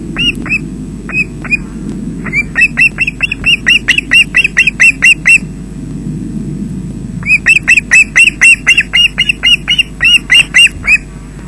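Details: Adult osprey delivering fish to chicks at its Loch Garten nest, Scotland, 20 June 2012 early afternoon, via nest webcam: two long bouts of rapid, shrill whistled chirps, each falling at the end, separated by a quieter pause.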